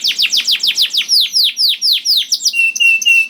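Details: Juvenile canary song meant to coax silent canaries into singing: a quick series of downward-sweeping chirps, about four per second, gives way to a few level, pure whistled notes.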